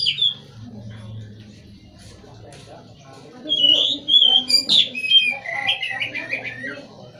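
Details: White-rumped shama, a valued cage bird, delivers a lively phrase of rich, sliding whistles and quick warbles in the latter half after a quiet stretch, with a steady low hum beneath.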